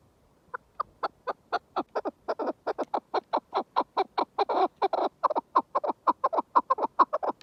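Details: {'caption': 'Chukar partridge starting with a few soft spaced notes that speed up into a loud, rapid run of dry chuk calls, with a richer, denser stretch near the middle.'}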